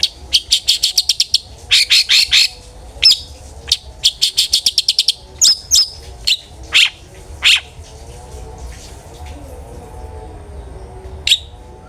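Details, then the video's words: Long-tailed shrike in 'ngeplong' style, meant to stimulate other shrikes to sing, delivering quick bursts of sharp, stuttering notes that slow into scattered harsh calls, then fall quiet. "cendet gacor NGEPLONG sangat ampuh buat PANCINGAN cendet agar RAJIN BUNYI"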